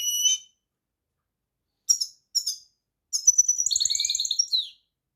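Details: European goldfinch song: brief bright twittering notes, then a longer run of rapid liquid tinkling trills high in pitch, in a quiet setting with no other sounds.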